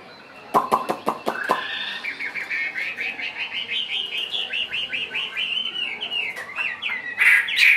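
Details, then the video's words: Caged, partly wild-caught Chinese hwamei singing and spreading as it sings: a few sharp clicks, then a long run of quick rising whistled notes around the same pitch, repeated nearly three times a second, ending in louder varied phrases. "HM 438 mộc dở ngũ trường hót là xòe"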